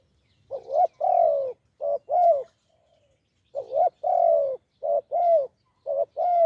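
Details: Spotted dove, a wild bird with a deep voice, at a decoy setup: a steady run of low, resonant coos in short-long pairs, about four phrases, clean background.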